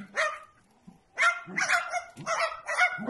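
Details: Feathered mimic producing dog-like yaps: one bark, a pause of nearly a second, then a quick string of four rough barks close together.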